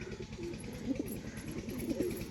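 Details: An active, big-sized domestic pigeon, said to be in full breeding mood, gives low, throaty coos, a soft rolling phrase repeated about once a second.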